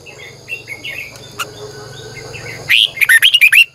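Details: Decoy Red-whiskered bulbul singing in the morning. Soft background chirps and a hum give way to a loud phrase of seven rapid, ringing whistled notes with slurred pitch.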